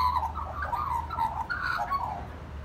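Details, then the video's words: Magpie singing: a rich, warbling run of mellow, gurgling notes with short rising and falling slurs, delivered continuously over a steady low background hum. "Magpie singing"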